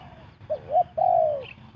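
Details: Fast-cooing spotted dove used to lure birds into a trap: one phrase of two quick short coos followed by a long, sustained, downward-sliding note over a low background hum.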